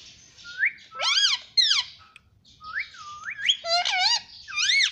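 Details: Talking parrot kept as a pet, mimicking "mummy papa": rising whistled notes mixed with loud harmonic, bending syllables in two busy phrases separated by a short lull.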